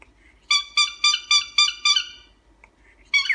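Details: Pet cockatiel honking: seven loud, nasal, evenly spaced honks at about four per second, each a rich buzzy tone, followed by a short pause and a brief scratchy chatter at the end.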